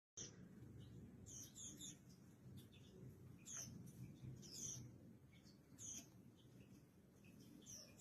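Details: Mountain white-eye during morning sunning and bathing: short, high, sharp chirps and twitters, spaced roughly one a second, over a steady low rumble of background noise.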